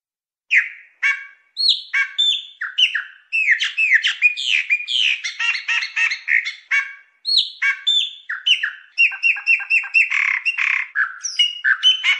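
A Chopi Blackbird sings a loud, rich run of varied whistles, chirps and gurgling notes in quick phrases, with only brief pauses and no other sounds.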